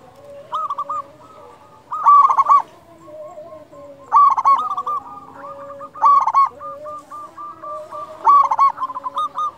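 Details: Local zebra dove singing loudly, meant as a lure to stimulate quiet or stressed doves; four rich bursts of rolling, rapid coo notes roughly every two seconds over continuous quieter cooing of other doves.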